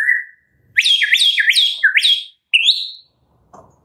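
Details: Medan-type White-rumped shama singing in captivity: a run of four loud, high, looping whistled notes followed by a single rising whistle, with brief pauses between phrases.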